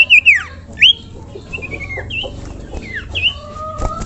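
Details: Common iora call used to draw other ioras into singing, made of varied whistled notes, some falling and some rising, loud at first and then softer, with a few long flat whistles near the end and a low background hum.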